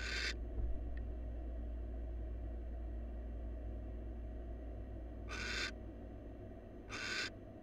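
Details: Barn owl, wild, at a research-monitored nest box with its new mate, making a short breathy screech, then a long silent gap before two more rasping hisses close together; a steady deep hum fills the background.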